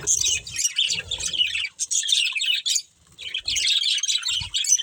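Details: Budgerigar breeding pair chattering in high, scratchy chirps and warbled phrases, the flow pausing briefly twice before resuming, with soft low bumps beneath.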